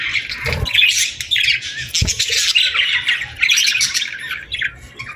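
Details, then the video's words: Summer birds at sunset in the evening: loud, harsh, raspy squawks and chattering calls from several birds overlap in dense bursts, with brief low thumps around the first and second seconds. "Evening Birds Chirping Sounds Effect | Summer Birds Singing at Sunset"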